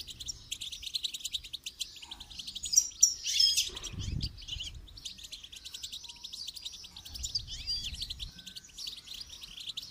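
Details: Goldfinch in song training, singing a long continuous stream of quick high chirps and buzzy trills, with a louder flourish around three seconds and a brief low thud just after.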